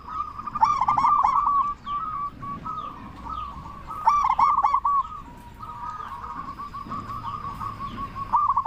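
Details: Constantly calling local zebra dove with a big voice, used to lure other zebra doves into replying. Repeated phrases of quick clipped coos run into long, steady trilling stretches over faint low background noise.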